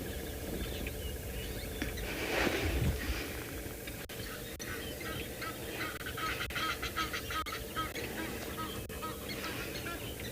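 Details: Egyptian geese at a private game reserve in South Africa on a live morning safari, 7 October 2021, standing side by side in lateral display and knocking rumps like a dance; harsh repeated honks over low engine rumble and a guide talking.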